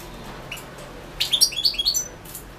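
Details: European goldfinch entered in the 2016 world goldfinch song championship held online. One lone chirp precedes a fast, liquid twittering phrase of about eight notes, ending abruptly.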